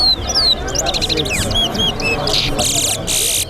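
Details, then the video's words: Towa-towa (seed finch) singing in a bird race competition at Betterhope bird ground: rapid high whistled slurs and sweeping notes, then loud buzzy rasping bursts, over a murmuring crowd and low background noise. "TOWA TOWA BIRD RACE"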